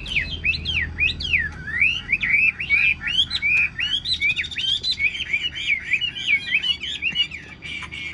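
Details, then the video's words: Singing even while its cage is carried, a tame Chinese hwamei pours out loud, fast, swooping whistles and trills, one phrase running into the next without pause. "Họa mi xòe vip cánh đại bàng, chim thuần sách lồng vẫn hót"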